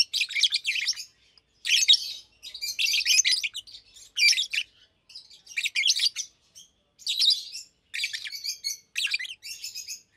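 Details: Two adult Fischer's lovebirds, one pastel green with orange face, one blue with white head, almost two years old, kept caged, chirping and singing by day: bursts of shrill, buzzy, scratchy chirps in rapid clusters separated by short pauses.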